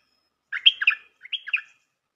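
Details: Bulbul calling as a trapping lure, two quick bubbly phrases of rising and falling slurred notes about three-quarters of a second apart, clean and without background.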